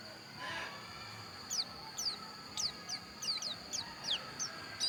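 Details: Javan white-eye of the type called pleci dakun, from Pupuan, Bali: a series of thin, high, sharply falling whistled notes given singly or in pairs about every half second, over a steady high tone and faint background hiss.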